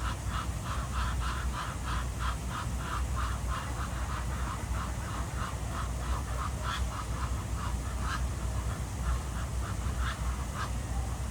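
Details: Ducks swimming at Jardin aux Canards in Monaco on a morning, giving a fast run of short nasal calls, about three per second, over a steady low rumble of water and background noise.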